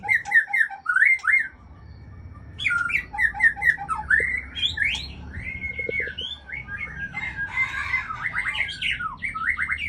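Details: Female white-rumped shama (murai Aceh) kept for breeding, pouring out a loud, varied song of whistled slurs, chattering trills and quick repeated notes in continuous bursts, with a low hum underneath.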